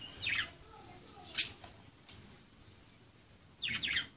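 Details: Budgerigars playing give a harsh high chirp, a sharp click-like squeak, then after a pause another scratchy burst of chirps.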